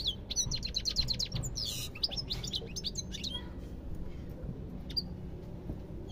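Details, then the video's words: Goldfinch song opening with a rapid series of sharp repeated chirps, then tinkling twitters and a buzzy rasp, fading to sparse high notes in the second half over a steady low rumble. "ربع ساعة من تغريد طائر الحسون روعة"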